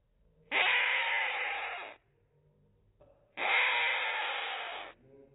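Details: Neglected rainbow lorikeet chick being hand-raised, fed by a five-year-old female acting as foster mother, gives two long, harsh, buzzing begging rasps about three seconds apart, each roughly one and a half seconds.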